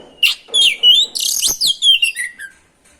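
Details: Oriental magpie-robin lure song for stirring rival magpie-robins. A continuous, fast medley of slurred whistles, harsh buzzy notes and sharp snaps fades into a soft falling whistle.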